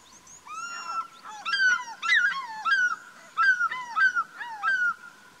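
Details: African fish eagle calling in a rapid run of sharp, yelping notes that drop in pitch, starting softly and then rising in volume into a dense string of ringing cries over about four seconds.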